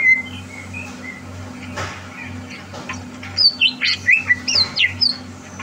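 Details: Caged greater green leafbird being prepared for a contest, 30 November 2022: soft, quiet whistles at first, then a loud burst of high, twisting whistled phrases in the final seconds, with a low hum throughout.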